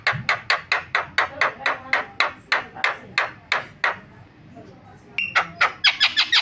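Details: Starling lure recording used to get silent captive starlings singing: a run of harsh, scratchy notes about four per second, a pause, then faster and higher notes.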